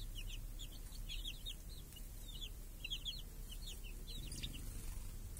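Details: Chicks foraging for flies with hens in a village, under a protective cage on a clear summer day; tight bursts of high, quick, arched peeps from many chicks, pausing briefly between flurries, over low background hum.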